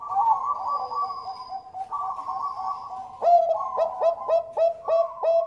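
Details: Bangkok-type zebra dove bred at a farm in Bekasi, West Java, Indonesia, in vigorous lure song meant to set other doves singing: a smooth, wavering coo phrase, then a quick run of about eight clipped, bouncy notes.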